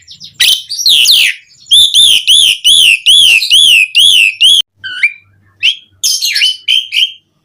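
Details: Javan pied starling song used to prompt other starlings to sing: harsh opening notes, then a fast series of seven ringing, wavering whistles, followed by short scattered whistled notes.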